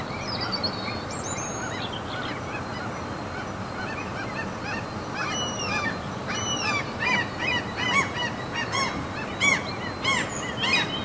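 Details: A Norwegian fjord among mountains, where after a quieter opening with a few high, thin calls, seagulls break into clustered, arched, yelping cries that grow louder toward the end.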